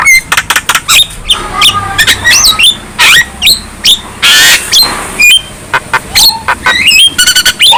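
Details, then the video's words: Young Javan myna in full, energetic song as it nods its head. Dense mix of scratchy squawks, clicks and upward-sweeping whistles, broken by a loud hissing rasp midway. "Kicauan Jalak Kebo Muda Gacor | Manggut-Manggut Bikin Garang Burung Lain"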